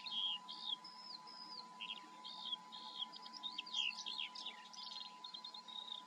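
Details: Eurasian skylark in full song, pouring out bright whistled slurs, short repeated chirps and fast rattling trills in an endless varied flow, with a faint steady hum underneath.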